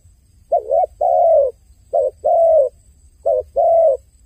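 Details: Paired dove coos repeated three times: a short wavering note followed by a longer, gently falling coo, the pairs coming roughly every second and a half, clear against quiet background.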